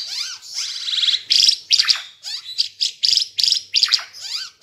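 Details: Energetic singing of an Ara Timor bird, used for teaching songs to caged birds: long buzzy, trilled phrases broken into short high bursts, with swooping downward whistles between them.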